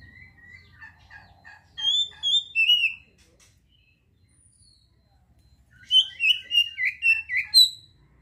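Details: Oriental magpie-robin lure song used to stir arousal and aggression in untrained birds: two bursts of clear whistled, chattering notes, the first near the start, the second after a three-second silent gap, with fast slurred phrases.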